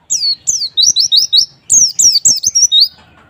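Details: High-pitched white-eye song for stimulating a reluctant caged bird: two quick series of sharp, falling whistled notes, about five to six in each, delivered almost without pause.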